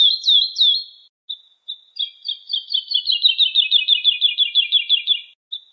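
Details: A few loud slurred Woodlark notes, then scattered soft ones, leading into a long fast trill of rapid, slightly descending notes that ends abruptly.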